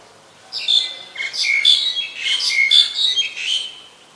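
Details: Black-collared starling at Ubon Ratchathani, Thailand, 26 March 2021, giving loud, harsh, squeaky chattering notes in a tight burst lasting about three seconds against a quiet background.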